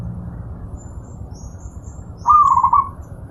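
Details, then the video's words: Pet-bird training master of a zebra dove: quiet hum, then one short, clear trilled cooing phrase of quick wavering notes lasting under a second. "Masteran burung perkutut,sangat jernih dan gacor"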